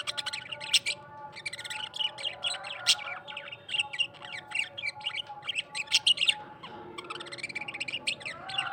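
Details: Australian parrot singing: a dense, continuous chatter of quick high chirps, clicks and warbled notes, with short bursts of squeaky trills and a steady faint low hum underneath.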